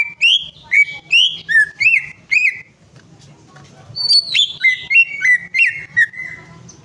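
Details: Greater green leafbird singing to spur a bird that has gone quiet: a quick string of loud rising-falling whistles, a short gap, then a descending cascade of high chips and slurred whistles that fades away.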